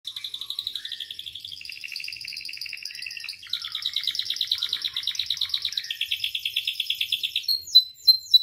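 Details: Canary song for training and provoking other canaries to sing: fast high trills in a string of tours that shift pitch every second or two, ending in a few sharp rising whistled notes.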